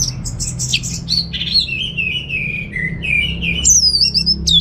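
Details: Captive orange-headed thrush from Singaraja, North Bali: a soft jumble of chips leads into a long, lower, gently wavering warble, then a high, bright ringing phrase, over a low hum.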